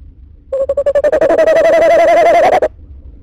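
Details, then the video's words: Tawny owl calling while looking in, recorded in January. It gives a single long, quavering, wavering hoot of about two seconds that holds a steady mid pitch and ends abruptly, in a quiet setting. "Tawny looking in Calling"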